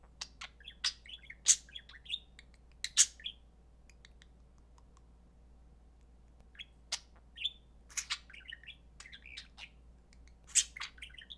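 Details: Pair of pet budgerigars playing, known as mimics of human speech: bright high chirps, clicks and warbling chatter in irregular clusters about forty per minute, a quiet gap midway, over constant low electrical hum.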